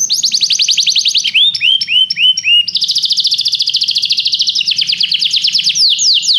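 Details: Canary singing for training purposes: dense rapid trills, a short phrase of rising whistled notes in between, then a long steady rolling trill, all high-pitched and continuous.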